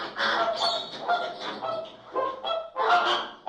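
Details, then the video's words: Calls of American flamingo, a free nature sound effect: nasal, goose-like honks in overlapping bursts, several birds calling at once with harsh, repeated notes and short pauses. "American Flamingo Calls"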